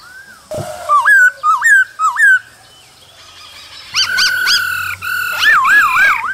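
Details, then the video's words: Male laughingthrush singing and dancing with a female calling, recorded in the cold season. Loud, clear whistled phrases, each with a quick upward flick and then a fall, repeated three times. A wavering, warbled whistle follows after a pause. "Khướu trống hót múa kèm tiếng mái ro kích bổi mùa lạnh"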